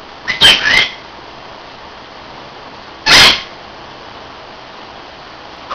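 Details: Pet Hahn's macaw sitting on a windowsill calling out: a harsh double screech near the start and a single loud raspy squawk about three seconds later, with quiet room noise in between.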